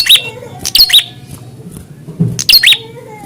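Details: Prinia reacting to a rival during a fighting test, giving two quick pairs of loud, sharp, downslurred chip notes separated by a short pause over a low background rumble.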